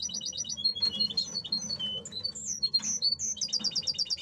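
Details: Caged male European goldfinch being brought into breeding condition before the breeding season: fast, tinkling high-pitched song of rapid twittering trills, buzzy notes and liquid chirps, with quick repeated note series at the start and end, low room hum beneath.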